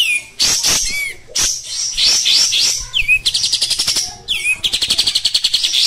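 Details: Captive Oriental white-eye in full song: a shrill, energetic medley of high twitters, upslurred whistles and fast buzzy trills, ending in rapid repeated chips.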